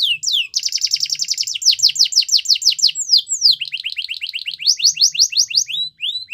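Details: Belgian canary song for prompting other canaries to sing, made of loud continuous phrases: a rapid buzzy roll, slower descending whistled sweeps, a drawn-out slur, then quick repeated swooping notes.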